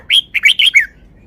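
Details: Caged red-whiskered bulbul showing off its song phrasing in the loud, far-carrying 'forest song' style: one quick phrase of five bright, chirpy whistled notes, rising and falling, all within under a second.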